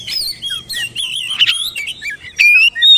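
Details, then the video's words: Oriental magpie-robin song used as therapy to prompt silent, lazy birds into singing: varied whistled phrases, wavering and sliding notes between mid and high pitch, with short chirps and a bright rising whistle near the end. "TERAPI MASTERAN BURUNG KACER BISU MALAS BUNYI DIJAMIN CEPAT RESPON NGEPLONG"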